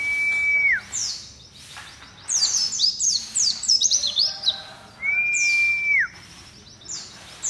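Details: White-eye singing loudly: a long, level whistle with a falling tail, then a rapid cascade of high, thin, downward-sweeping twitters, and another slurred whistle followed by more sharp chirps.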